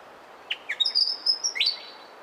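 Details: Willie wagtail giving a short phrase: two quick chirps, then clear sustained high whistles that hold level and step slightly, ending in a sharp upslurred note, over faint background hiss.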